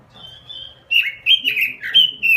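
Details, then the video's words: Short gacor-style robin song: a faint high whistle, then about one and a half seconds of loud, quick, slurred chirps swooping up and down. "SUARA BURUNG ROBIN GACOR"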